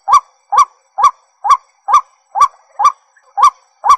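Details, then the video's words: White-breasted waterhen giving a loud, harsh, croaking note repeated steadily about twice a second, each note rising then falling, with no other sounds; White-breasted waterhen. "Waterhen sound original"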